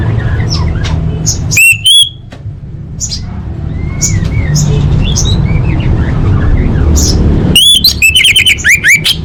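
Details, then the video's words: Orange-headed thrush song used as a lure to make caged birds sing: loud, sharp, strongly ringing chip notes in two bursts, with softer slurred whistles between them, over a constant low hum. "Pancingan Anis Merah Paling Efektif: Meningkatkan Gacor & Kualitas Suara Burung!"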